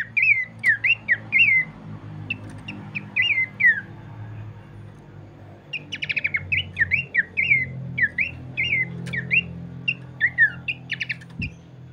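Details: Abbott's babbler (Malacocincla abbotti) singing short, clear whistled phrases, repeated in bursts with a few harsher chattering notes; used as a lure to stimulate other babblers to sing.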